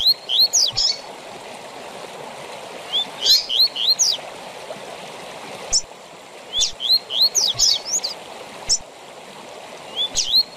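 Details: Repeated tui tui zel zel phrases from a Double-collared seedeater, a song style for tutoring captive birds: bright rising whistles and sharp high downsweeps in rapid clusters, three phrases in succession, steady stream-like noise throughout.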